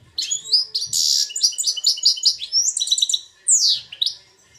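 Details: Caged goldfinch x red siskin hybrid, two years old, in Belfast, delivering a continuous run of high, tinkling twitters, trills and buzzy notes in Algerian goldfinch song style, ending with a descending slurred phrase.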